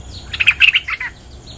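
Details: Bulbul defending its territory against a lure: a short, lively run of loud, clear chirps and warbled notes lasting about a second, high-pitched, with a soft hiss behind.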